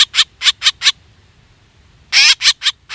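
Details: Black drongo lure calls: five short, harsh, buzzy notes in quick succession, a pause of over a second, then one longer rasping note followed by three more clipped calls.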